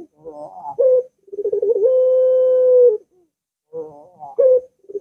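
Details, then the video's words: Barbary dove (puter), long-voiced type, used to trigger song in a dove that will not sing: wavering introductory notes and a clipped coo, then rapid pulses into a long even tone, with the opening repeated. "Puter Macet Puter Malas Bunyi Langsung Ngaut"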